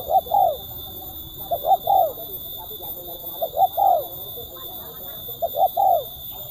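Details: Spotted dove with a crisp, sharp, tightly spaced voice of the kuk 1 style, giving three coo phrases, each a quick pair of short notes and a longer falling coo, about every two seconds over a steady electronic hum.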